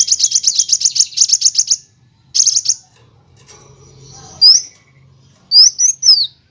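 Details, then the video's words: Kolibri wulung sunbird song used as a training recording for other cage birds, in the nyrecek, nembak and ngerol styles: a fast buzzy high chattering trill, a short pause and another burst, then sharp thin whistled notes slurring up and down. "MASTERAN KOLIBRI WULUNG, NYRECEKT NEMBAK, NGEROL BURUNG LANGSUNG GACOR"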